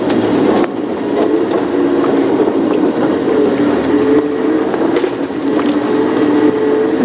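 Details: Loud continuous vehicle engine drone with a steady tonal whine and rattling, no animal sound heard.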